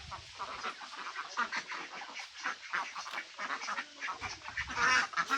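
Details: A flock of ducks, including Mandarin Ducks, Mallards and Pekin Ducks, quacking continuously: dense, overlapping raspy quacks from several birds throughout, with louder bursts toward the end.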